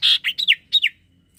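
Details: Common iora in full song, used to spur silent birds: a bright burst of slurred whistled notes, the last ones falling in pitch.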